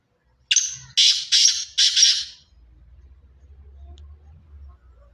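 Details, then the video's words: Pure Sindhi strain black francolin calling: four loud, harsh, grating bursts in quick succession over about two seconds, then a faint low rumble. "پیور سندھی کالے تتر کی اواز"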